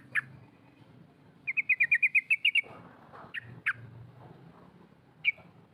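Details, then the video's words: Female sooty-headed bulbul calling to provoke rivals: a rapid rattling series of about ten chip notes, followed by scattered sharp single calls. "SUARA TRUCUK BETINA NGEROL COK COK MEMANGIL LAWAN"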